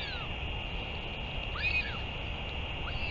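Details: Northern royal albatross, return and feeding on 31 May 2023: one clear arched call rising and falling, flanked by fainter partial calls, against a persistent hum and rumble.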